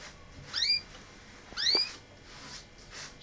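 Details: Canary, locally called "Kaneri" in Quetta, Pakistan: two separate bright whistled notes sweeping sharply upward, about a second apart, over a faint hiss.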